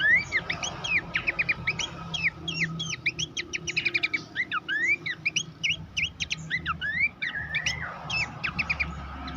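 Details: Training master song of Horsfield's babbler for contest songbirds: a continuous stream of quick chirps, slurred whistles and upward flicks, with scarcely a pause, over a low constant hum.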